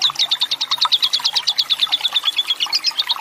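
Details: Lovebird giving the long 'ngekek panjang' chattering song of a fighter bird, used as a tutor track to prompt other lovebirds to sing: a fast, even run of sharp, shrill chips, several per second, sustained throughout.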